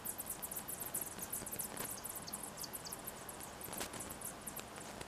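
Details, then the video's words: Robin chicks begging in the nest while being fed: rapid bursts of thin, very high-pitched squeaks and cheeps, repeated in quick clusters over a steady background hiss. "Robin Chicks in Nest Feeding"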